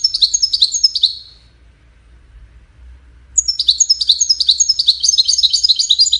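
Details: European goldfinch singing: a quick run of bright, tinkling twittered notes fades out, then after a short pause a longer, denser stretch of fast, liquid twitters resumes and carries on steadily.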